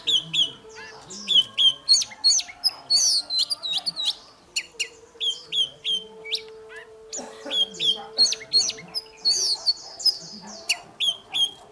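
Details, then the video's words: Varied morning fighting song from an oriental magpie-robin: repeated short whistled motifs about three per second, clear and slurred, mixed with chattering notes, while a low droning hum and faint lower sounds run beneath. "Chòe than hót đấu//Kích chòe hót sáng"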